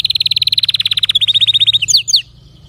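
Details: A canary delivers a rapid, even trill of bright notes that slows slightly toward the end, closing with two sharp downward-sweeping whistles, then quiet.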